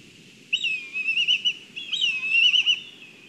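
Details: Black kites calling around a food delivery at their nest in Kurzeme, Latvia, on a live nest camera: two drawn-out, shivering high whistles, each trembling through rapid wavers for over a second, with soft background noise.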